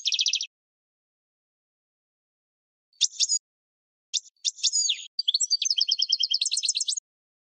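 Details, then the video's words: European goldfinch song played for training other birds: a short buzzy trill, then after a pause bursts of bright twittering notes and a fast rattling, metallic trill, all high-pitched with no other sounds. "GOLDFINCH THE BEST SONG"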